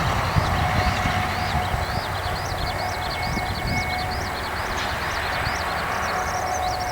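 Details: A Eurasian skylark singing overhead above a farm road pours out quick, high, chirping notes in a steady stream, against a heavy low rumble of passing cars.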